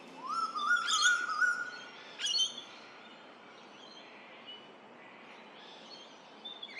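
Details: Male Eastern Koel, called rainbird, calling across the Lane Cove River valley, Australia, in spring, announcing his arrival. A loud, clear whistle swells upward and holds for about a second, then a short sharp note follows. Faint birds twitter in the background.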